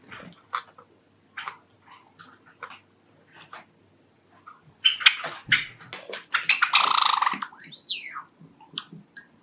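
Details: Pet Java sparrow indoors, one of five kept together, giving a courtship love song: scattered soft clicks and chips build into a dense, bursting run of rattling notes, ending with a quick sliding whistle.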